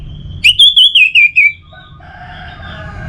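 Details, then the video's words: Orange-headed thrush from northern Bali, Singaraja, recorded to stimulate other birds to sing: a loud wavering whistled phrase of rapid up-down warbles, then fading lower notes over a faint low hum. "Pemancing Burung ANIS MERAH Agar Selalu Gacor"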